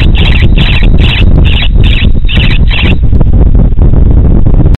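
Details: Common kestrel calling during mating, Romania, 3 March 2016. A run of about eight shrill, rasping notes comes roughly twice a second for three seconds, then stops. Heavy wind buffeting continues underneath and afterwards.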